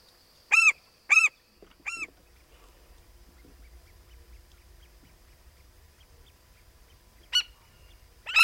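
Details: African skimmer giving short, nasal, yelping calls, three in quick succession and then two more after a pause, over a faint low rumble, around the hatching of the year's first chick.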